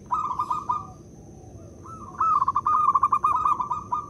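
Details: Lure call of a local zebra dove meant to get other doves cooing: a brief rippling coo, a pause, then a longer rolling series of quick, bubbly notes, with a thin steady whine in the background.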